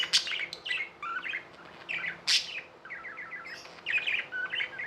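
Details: Tamed budgerigars chattering with loud sharp chirps and short rattled runs of notes, bursts separated by brief gaps, steady background hum.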